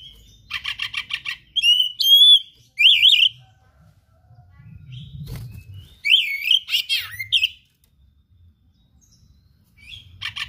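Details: Oriental magpie-robin, kept as a songbird, giving full song with mimicked phrases: rapid buzzy notes, bright whistled slurs and wavering trills in bursts, with faint low background noise between phrases.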